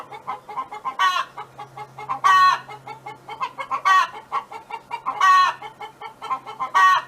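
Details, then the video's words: Neighbour's hen's song on a farm: steady soft clucking, about three notes a second, punctuated by five loud, drawn-out harmonic calls roughly every second and a quarter. "Chicken Hen Sound Effect"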